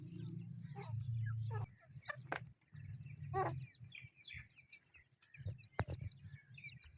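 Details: Black francolin chicks calling: scattered short high chirps and peeps, some in quick runs, over a low steady hum and occasional clicks.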